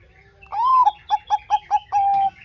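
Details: Zebra dove of the Bangkok type, song used as a lure to get lazy doves singing: a rising coo, then five short clipped notes, closing on a long level coo.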